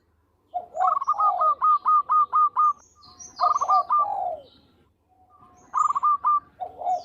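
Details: Local zebra dove singing actively with a sweet voice, used for luring: loud phrases of rapid clipped staccato notes over rolling coos, repeated three times, thin high bird chirps above.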